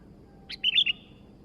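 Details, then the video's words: Sooty-headed bulbul, a newly acquired bird singing vigorously: one short bright chirp, then a quick run of three clear, warbled notes that dip and rise, sounding over a quiet background. "burung kutilang baru Gacor dor"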